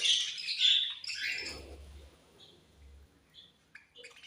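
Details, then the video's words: Pet budgerigars at feeding time, described as angry while eating: a burst of harsh, buzzy chirps in the first second, then quieter scattered twitters and faint low knocking. "My Beautiful Budgies Angry Eating And Chirping Sounds"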